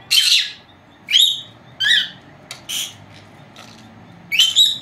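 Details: Napping pair of young female pet lovebirds, four months old: a series of loud, harsh, high-pitched chirps at irregular intervals, some quieter ones between, in a quiet room.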